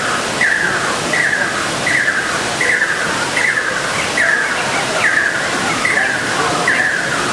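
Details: Two fire-tufted barbets singing as a pair, giving a long steady series of about ten downward-slurred double phrases, one every 0.75 seconds or so, over a dense hissing background.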